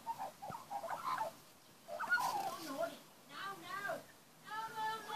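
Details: Magpies singing in a backyard while young are fed. Soft, mellow warbled notes with harmonic overtones drift in and out, quieter than the surrounding passages.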